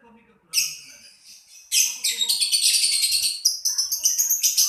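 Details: Lovebird chatter: after a few quiet moments a loud shrill note, then a fast run of rapid, harsh, high-pitched chirps crowding together.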